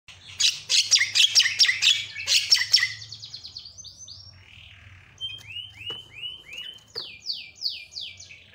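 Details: Javan myna (jalak kebo) calling in response to a lure sound. Harsh, buzzy chirps come in a rapid burst, then a series of clear whistled notes that sweep downward, repeated at uneven intervals, with a faint low hum underneath.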